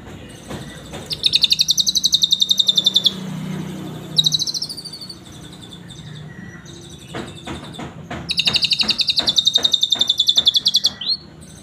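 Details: An Asian pied starling singing with a Cililin canary song fill-in: three bursts of fast, high, rolling trills, each a few seconds long, broken by sharp clicks and chips.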